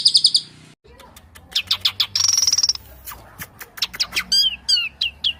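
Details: White-rumped shama song: a loud, rapid run of high, sharp notes in bursts, with a buzzy stuttering trill near the middle and bright whistled slurs toward the end.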